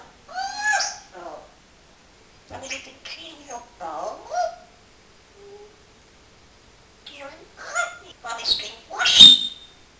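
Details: Domestic parrot mimicking human speech, several word-like phrases with clear vocal harmonics spread across ten seconds, broken by pauses and ending in a harsh, high squawk-like burst.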